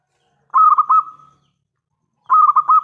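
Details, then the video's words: Local Zebra Dove, a strong-voiced bird calling to lure others into answering; one cooing phrase of quick pulsed notes trailing into a level hum, then another phrase beginning after a silent pause. "PERKUTUT LOKAL GACOR suara besar"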